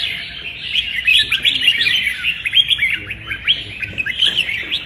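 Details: Red-whiskered bulbul, caged, singing in a contest: a lively stream of bright, warbling whistled phrases, quick and varied, tumbling over one another with barely a pause.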